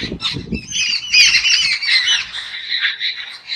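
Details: Loud, harsh squawking from jungle babblers during a fight, with grating nasal notes packed closely together over several seconds after a few low thumps at the start.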